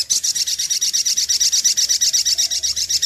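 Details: Sunbird (sogok ontong) song used as a lure: an unbroken, very high, rapid buzzy trill of evenly pulsed notes running throughout, with no other clear sounds.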